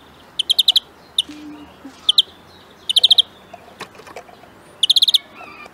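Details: Greenfinch song of tight ringing trills, five or six notes per burst, at irregular intervals, with single sharp chips and faint low murmur in between.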